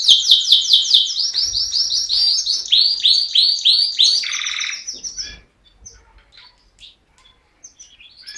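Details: Canary singing a fast trill of repeated descending sweeps, about twenty in five seconds, closing with a low buzzy rattle, followed by quiet scattered chirps.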